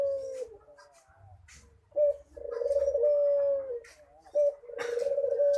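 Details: Dove in manggung song gives sustained, mellow coos of over a second each, every one opened by a short clipped note, with scattered bird chirps and a light knock heard behind.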